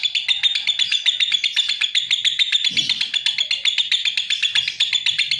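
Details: Lovebird chattering in a fast, unbroken series of harsh high chirps, roughly four each second, with a faint low thump in the middle.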